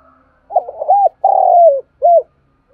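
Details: Spotted dove of Đồng Nai, Vietnam, calling and cooing as a lure bird. A single mellow phrase: quick broken coos, a long falling hum-like coo, and a clipped rounded closing note, all low-pitched over a quiet background.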